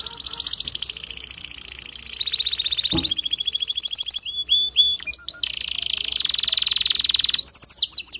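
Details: Male canary singing to get a hen to build her nest quickly: extended rapid buzzy trills, a sharp click, short chirped phrases, then a lower sustained roll and a high trill.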